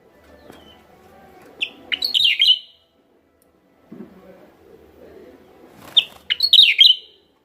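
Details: West Javan lure recording of a Javan myna: a sharp note leads into rasping, squeaky chatter, and the phrase repeats after a pause with faint low rustling between.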